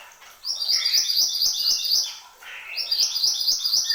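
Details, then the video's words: Horsfield's babbler in lively song: two bursts of rapid, high, ringing notes strung together, each over a lower whistled note, with a brief quieter gap between them. "SUARA BURUNG MANTENAN GUNUNG GACOR"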